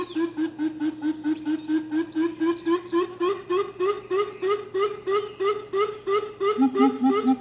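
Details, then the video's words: A group of coucals calling back and forth: a steady run of deep, resonant hoots, about four a second, with a second, lower voice joining near the end. "Group Coucal Calling || អែអូតយំឆ្លើយឆ្លងគ្នា"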